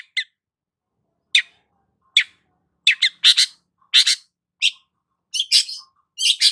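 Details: Actively singing long-tailed shrike gives scattered short, grating notes that become denser and louder toward the end, merging into rough doubled rasps; background otherwise quiet.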